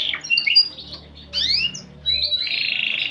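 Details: Canary song with a unique cengkok style, a lively gacor singer: sharp high chirps and squeaky notes, a burst of rising and falling slurred phrases, then a sustained buzzy trill near the end, all bright and high-pitched indoors.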